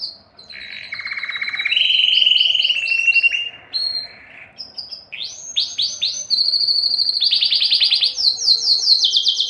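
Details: Excited male-style canary singing for mating, shifting between rapid trills at different pitches, short whistled glides and bursts of high sweeping notes repeated several times a second.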